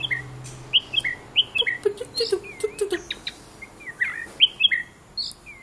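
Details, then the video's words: Pet white-rumped shama playing with its owner: crisp whistled notes dropping in pitch, repeated at an uneven pace of about one and a half per second, mixed with soft lower chirps and scattered clicks. "white rumped shama"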